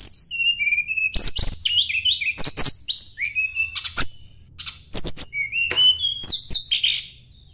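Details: Sunda blue robin song, seeking a rival and used to lure kacer and other Sunda blue robins into singing: varied bright whistled phrases, high and low, broken by sharp clicks and quick chattering notes, with short pauses between bursts.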